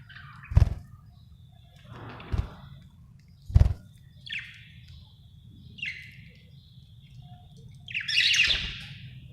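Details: Happy budgerigar chirping: short, scratchy, buzzy chirps spaced a second or two apart, some trailing into a thin steady tone, with dull low thumps and knocks in the room.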